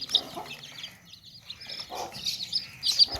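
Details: Baby chicks in a tokri basket chirping in thin high peeps, a short pause midway, then renewed louder cheeps with soft clucking underneath.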